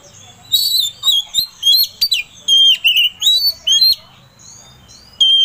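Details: Oriental magpie-robin singing to provoke another bird: a sequence of loud sweeping whistles and sharp notes in short phrases over about three seconds, then quiet before one last note.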